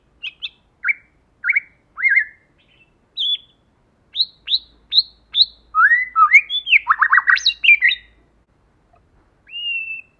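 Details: White-rumped shama, female and male, forest-voice song used as a lure: spaced short whistled notes build into a dense tumbling warble of varied phrases, ending with a single drawn-out whistle in quiet surroundings.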